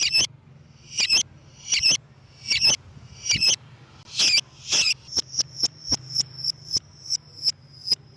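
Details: Lovebird calls used to lure other lovebirds: harsh, buzzy screeches about every half second, then a fast run of sharp, high, clipped chips, with a steady low hum underneath.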